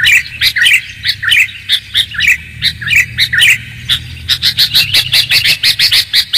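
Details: Sooty-headed bulbul lure sound with clear tone: steady repeated chirp phrases with clicks, then a quicker, denser series of sharp notes toward the end.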